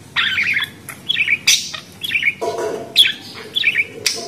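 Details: Budgerigar giving short, scratchy chirps and warbled twitters roughly every half second, with a few sharp clicks between phrases.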